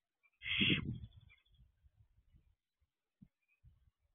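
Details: Young barn owl stepping out of its nest box on its own, recorded at 8:06 pm on 6/12/23: one short, harsh, hissing screech lasting about half a second, followed by faint low thumps and scratching.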